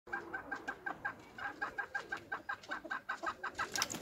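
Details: Bantam rooster giving a rapid series of short, clipped clucks, evenly repeated about three times a second for four seconds, in a quiet setting.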